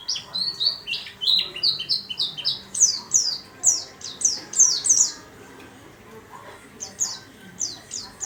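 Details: Caged warbling white-eye, kept in a small cage, pours out high, rapid descending chirps for five seconds, falls silent briefly, then resumes with a few more thin notes.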